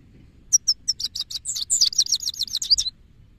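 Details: A male goldfinch sings a quick, liquid twittering phrase of about twenty high, bright notes. Spaced chips speed into a rapid, tumbling chatter lasting around two and a half seconds, over faint low background hum.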